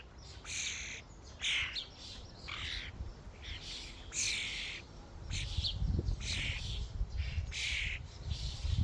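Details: Common starlings at a crowded feeding station make short, scratchy squawks at irregular intervals, with growing low-pitched rumbling and thumping noise in the second half.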